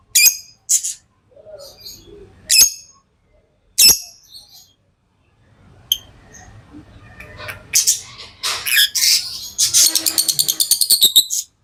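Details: Pet lovebirds: three sharp, shrill chirps in the opening four seconds, then a stretch of faint low background murmur, ending in a fast run of high, scratchy chattering chirps.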